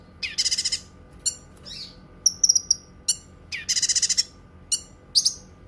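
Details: Cucak kinoi song used for tutoring and therapy: high sharp chirps alternating with rapid buzzy trills of about six pulses, plus short whistled notes, in quiet surroundings.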